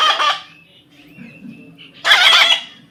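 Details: Two grating parrot screeches about two seconds apart, the second louder and longer, with a faint thin whistle and quiet human voice in the gap; outdoors in a field.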